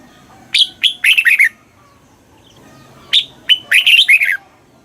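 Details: Two clear phrases of red-whiskered bulbul song, southern Thai master style, played to rouse caged birds: a couple of sharp opening notes followed by a fast run of rich, rolling whistles.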